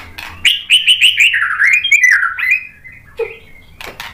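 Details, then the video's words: White-rumped shama lure song used to stir another bird into answering: a rapid run of repeated slurred whistles sliding gradually downward, followed by a brief pause and a few sharp chips. "KICAUAN MURAI BATU merangsang EMOSI jadi NYAUT GACOR NGEPLONG BONGKAR MATERI | PANCINGAN MURAI"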